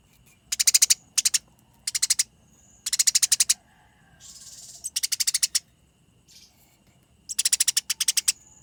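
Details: Fighting Eurasian tree sparrows give short, fast bursts of sharp chirps in irregular groups, with a brief hissing rush and a faint steady whistle in the background.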